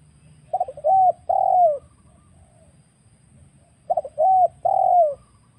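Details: Trapping lure recording of a wild spotted dove: two phrases of quick stuttered notes leading into a clear coo and a long, falling final coo, separated by a pause of about three seconds.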